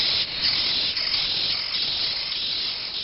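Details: A nest of chimney swift nestlings brought into a rescue center, giving a continuous harsh, raspy hissing chatter with faint pulsing surges, loud and unbroken throughout.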